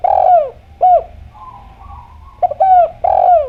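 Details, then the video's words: Spotted dove, known as derkuku, Javan type, in clear, active song meant to lure other doves into calling. A long descending husky coo and a brief rounded note give way to a soft warbling pause, then a stuttered pickup, a sustained coo and another drawn-out falling coo. "Derkuku Djawa Gacor Suara Bening, Pancingan Bikin Ngeplong"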